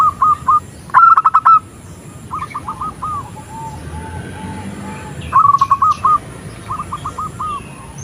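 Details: A female zebra dove calls the male with paired bursts of rapid staccato coos separated by softer trailing notes. The pattern repeats about every four seconds.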